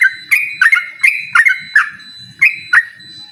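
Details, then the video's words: A yellow-vented bulbul challenges a rival with scattered sharp whistles, each a downward flick into a level tone, delivered in uneven pairs and singles over a few seconds, faint low rustle in the background. "suara burung trucukan gacor mengajak lawan adu ropel"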